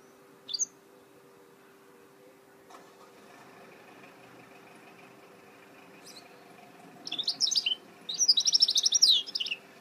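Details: Goldfinch mule (hybrid), 2018 recording: mostly quiet with a low hum and a few faint ticks, then a single chirp early and two dense bursts of high twittering song near the end.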